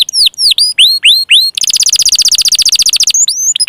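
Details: Song of a canary, used to prompt stalled, reluctant or young canaries to sing: a few separate upswept whistled notes, then a dense buzzy rapid trill for about a second and a half, ending in short chirps.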